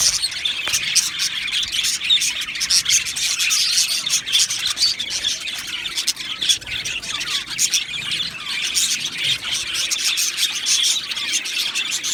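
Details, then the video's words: Two male Australian budgerigars chirping: a dense, continuous chatter of high scratchy notes and rapid clicks, unbroken for the whole stretch, with frequent sharp ticking sounds mixed in. "2 Male Budgies Birds Sounds | Australian Budgies Birds chirping sounds"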